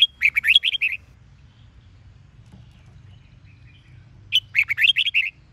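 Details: Sông Kôn style red-whiskered bulbul song with double twisted notes, meant to stir wild-caught birds to sing; two lively bursts of rapid, jerky whistled notes separated by roughly three seconds of quiet.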